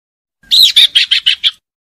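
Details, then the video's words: A common iora (sirtu/cipo) gives a quick burst of six harsh, buzzy, high-pitched, evenly spaced chattering notes lasting about a second, used as lure audio to prompt reluctant birds to sing. "PANCINGAN UNTUK SIRTU MALAS BUNYI JADI GACOR"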